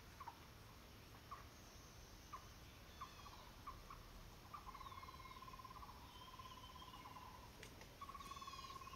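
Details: Indian black eagle at the nest while raising chicks: scattered short mid-pitched notes, then long, rapid, even trills held for about three seconds and resumed near the end, with faint higher calls of other birds and a quiet background hiss.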